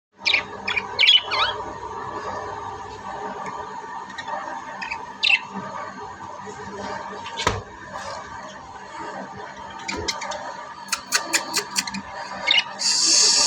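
Budgerigars chatter non-stop in a rapid mix of warbles, clicks and sharp chirps.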